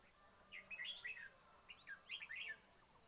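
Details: Bulbul calls for luring birds into a trap: a pair of rich, gurgling chirp phrases in quick succession, followed by softer notes, with faint high hiss throughout.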